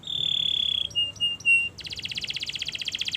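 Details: Canary singing a 'gacor' master phrase for song training: a sustained pure whistle, three short clipped notes, then a fast, dense rattling trill, somewhat quieter than the rest.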